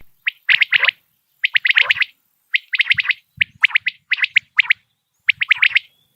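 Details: Common quail calling in the morning, linked to quail hunting in Pakistan: quick clusters of three or four sharp, clipped high notes, the phrase repeated roughly every second for about six rounds, with a quiet background.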